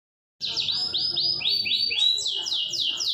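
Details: Canary long-roll song, used to train other canaries: high sweeping notes repeated in quick downward slurs, about four per second, over a soft low background murmur.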